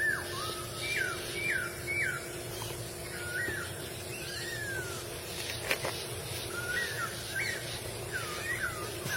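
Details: Wild masked laughingthrush giving a run of clear whistled notes, some rising and some dropping in pitch, scattered across several seconds over a steady hum and broad background noise.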